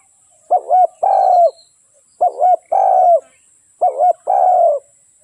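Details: Decoy spotted dove, Malay line, calling to attract wild doves into a trap: three regular phrases, each a short wavering two-part coo followed by a drawn-out mellow note, evenly spaced about every one and a half seconds.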